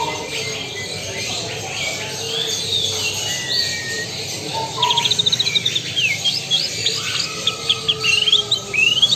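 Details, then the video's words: Lampung Super white-rumped shama singing: fainter mixed twitters at first, then a fast, loud run of sharp repeated chirps and rising whistles in the second half, with a constant hiss behind. "Murai batu Lampung Super"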